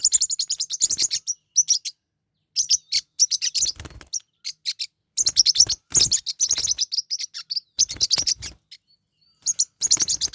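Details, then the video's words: Forpus parrotlets kept as pets, fighting: repeated loud bursts of fast, harsh, high chattering chirps, each lasting about a second, separated by short silences. "My birds are fighting"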